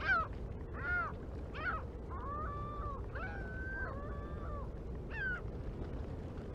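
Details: American white pelicans gathered on the Mississippi River flyway on 1 April 2021; short hoarse honks alternate with longer level, droning calls, roughly one every second, above a steady low rumble.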